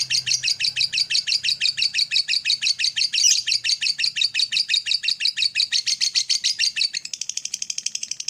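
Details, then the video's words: Lovebird delivering the long morning chatter (ngekek) used to provoke other lovebirds to trill; loud, fast, regular high pulses, roughly three per second, continue unbroken, turning thinner and quicker near the end. "SUARA PEMACU Ini Bikin Love Bird Ngeroll & Ngekek Ganas!"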